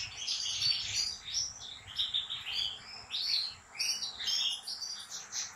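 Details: European goldfinch from a professional breeder's stock, caged, delivering slaka-style song: quick jangling twitters and sweet whistled trills in short, tightly packed phrases, rising and falling in volume with a brief gap partway through.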